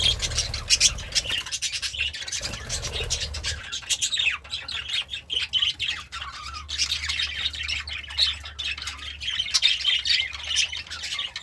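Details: Pet budgerigar in a happy mood, eating greens, keeps up a long rambling warble of fast chirps, squeaks and rattling notes, with faint low rumbling early on.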